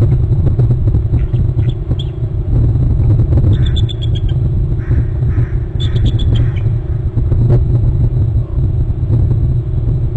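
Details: Bald eagle at its nest territory on Hornby Island, filmed by a nest camera, calling while chasing an intruding eagle away. Two bursts of high, rapid chittering notes, around the middle of the recording, under heavy, constant low wind rumble.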